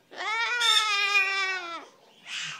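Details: Pet cockatoo indoors mimicking "wazzup" after being prompted: one long drawn-out harmonic wail of about one and a half seconds, steady then slightly falling, followed by a short breathy burst; background music.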